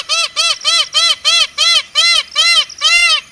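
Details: Indian peafowl repeating short, loud, ringing honks about three times a second, nine notes in an even series, the last one slightly longer.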